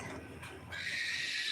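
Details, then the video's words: A cockatiel at feeding time breaks from low rumbling into a loud, sustained, harsh squawk that carries to the end. "FEEDING TIME COCKATIELS"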